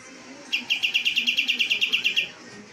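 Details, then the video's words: A cream-vented bulbul, a prized contest songbird, giving a rapid series of about thirteen even, bright chipping notes, evenly spaced and lasting under two seconds, over quiet background. "KAPAS TEMBAK SALAH SATU MASTERAN BURUNG LOMBA TERBAIK"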